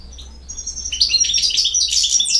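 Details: Bosnian European goldfinch delivering a continuous stream of rapid, high, jingling twitters that build in loudness toward the end.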